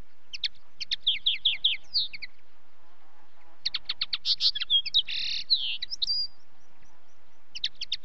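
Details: Linnet singing in two phrases: first a run of evenly repeated chirps ending in a whistled slur, then after a pause a rapid chirp series leading into harsh buzzy notes and a thin whistle, a few closing chirps.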